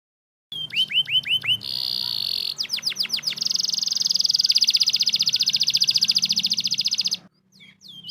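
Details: Canary song used as a lure to get lazy, silent canaries singing: high rolling trills, rapid repeated downward-swept notes and long buzzy rattles that run for several seconds without a break.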